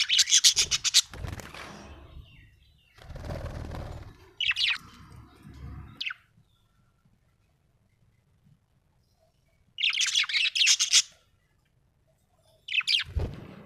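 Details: Small parrot giving bursts of high, scratchy rapid chirps between long silences, with loud rustling or fluttering noise in the first half.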